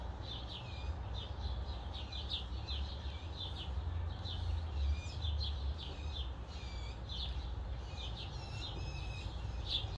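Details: A young blue jay (Cyanocitta cristata) gives a begging call of short, chirpy notes several times a second throughout, over a steady low rumble of wind or distant traffic.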